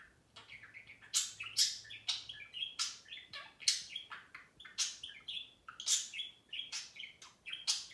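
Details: Two pet budgerigars chattering at each other indoors: a dense run of scratchy warbles, clicks and bright, sharp chirps in quick succession, with brief harmonic notes between the louder bursts and no pause.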